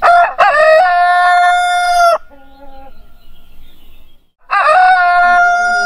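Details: Two loud morning crows from a rooster, each with quick rising opening syllables and a long steady tonal ending, separated by a quieter gap with a faint distant crow.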